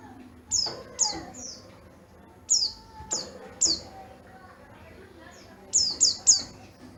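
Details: Yellow-breasted Oriental white-eye from Garut with a crystal, ringing voice utters quick series of short, shrill down-slurred chirps, often in bursts of two or three, over quiet background sounds.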